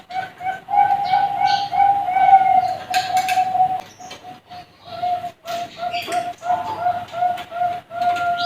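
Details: Young Bangkok-bred zebra doves kept at a bird farm: repeated short, mellow coos with some drawn-out notes, uneven spacing, and scattered chirps and clicks in the background.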